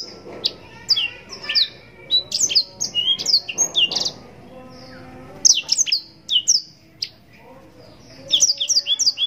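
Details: A blackthroat (yellow-rumped serin) delivers rich 'cengkok mewah' song phrases: clusters of sharp rising and falling whistled notes, a pause of about a second, then further bright twittering bursts, with a light murmur of noise underneath.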